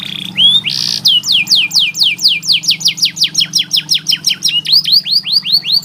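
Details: Tutor song for training lazy canaries. A short whistle and buzzy burst lead into a long, accelerating series of bright downward slurs, then a quick run of rising notes at the end, over a faint low hum.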